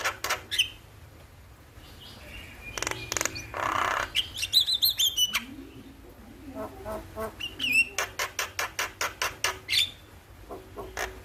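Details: Starling in the morning, used as a lure and tutor recording to get caged birds singing: harsh rasping bursts, sharp whistled chirps and a fast run of clicking notes near the end.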